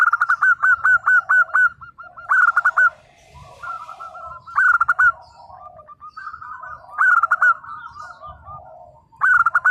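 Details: Local zebra dove singing loudly: bursts of rapid, bubbly staccato coos recur every two to three seconds, with softer coo phrases from other doves filling the gaps.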